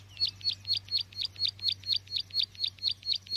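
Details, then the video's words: Bar-winged prinia call played as a trapping lure, evenly repeated high chirps with a sharp downward twist, about two each second, over a constant low hum. "Suara pikat burung ciwa/cici glaga/ciblek sawa"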